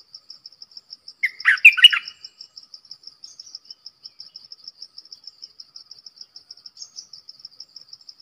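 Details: A streak-eared bulbul decoy, used to lure wild birds and train young ones, utters a quick, throaty warbled phrase early on, followed by steady ringing cricket pulses to the end.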